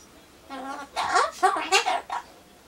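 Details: Pet Ducorps's cockatoo (Solomons corella) chattering to itself while waiting for pumpkin, imitating human greetings; a few short speech-like syllables with stacked harmonics rise and fall over about a second and a half in a quiet room.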